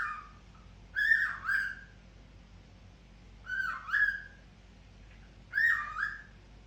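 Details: A cockatiel whistles in three bursts, each a bright rising note followed by a wavering dip, spaced about two seconds apart, against steady faint background hum.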